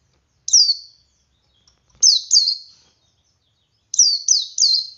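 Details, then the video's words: Male Oriental white-eye singing 'ngalas' to draw other white-eyes into song; one high descending chirp, then a pair, then a triplet of sharp downslurred notes, quiet background. "Suara Burung Pleci Jantan Ngalas Memancing Pleci Lain Ikut Ngalas"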